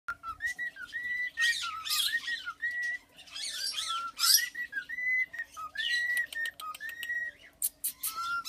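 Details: Tame three-year-old male cockatiel serenading its owner: clear whistled phrases rising and falling, with repeated held notes and bursts of scratchy chatter between them.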